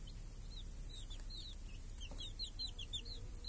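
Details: Hens and small chicks grazing in a village under a cage against hawks and crows, clear summer day; bright, high, bowed peeps repeat about twice a second from several chicks, with faint clicks and low rumble behind.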